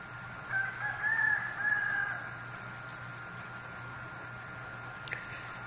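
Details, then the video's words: Rooster's morning wake-up call: a single somewhat distant crow, under two seconds long, in a few drawn-out, strained segments; a steady low hum continues throughout. "Wake Up Call from Mr Chicken"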